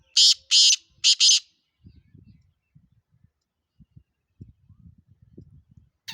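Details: Black francolin (kala teetar) of the Sindhi, pure Gangas Nasal, Chakri Wala type: four harsh, nasal, grating bursts in quick pairs within the first one and a half seconds, followed by faint low rustling and knocks.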